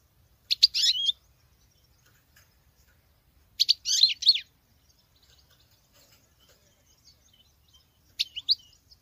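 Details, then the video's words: Female European goldfinch singing like a male: three short bursts of high twittering about three seconds apart, with quiet in between. "Femelle chardonneret qui chante que le mâle l c'est bizarre !!!"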